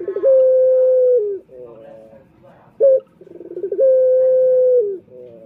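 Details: Lure call of a male turtle dove for attracting males, given twice: rolling purr swelling into a sustained even coo that drops away, a soft fading tail, then a sharp short note before the next trill and coo.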